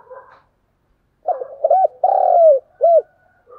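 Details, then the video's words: Decoy spotted dove calling to provoke and lure wild doves; a brief soft coo, a pause, then a run of short hooked low coos and one long drawn, mellow coo followed by another short note, in quiet surroundings. "Tiếng cu mồi thúc bổi và gáy gọi"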